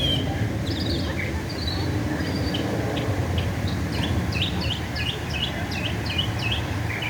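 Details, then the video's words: Northern mockingbird in America delivering a long string of sharp, rapidly repeated chirps that change pitch from phrase to phrase, set against constant low road or engine noise. "Bird Making beautiful Sounds, in America, Mockingbird"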